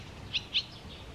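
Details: Barn swallow at the Tama River: two clear, clipped chirps a quarter second apart, set against quiet background noise.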